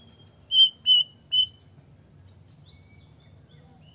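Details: White-rumped shama in full song, used to provoke other shamas into singing: three sharp, clear notes with bright overtones, then a run of short, high, thin chirps at a quicker pace, with a low hum underneath.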